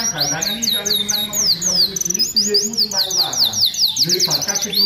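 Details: Prolific-singing domestic canary song used as a training tutor for other canaries: rapid rolling trills of high downward-sweeping notes over lower harmonic voice-like sounds in the background.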